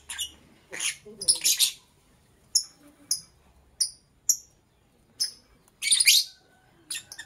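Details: Lovebird in the morning giving scattered shrill chirps: thin, clipped, whistle-like notes roughly every second, mixed with a few louder raspy bursts, in an otherwise quiet setting.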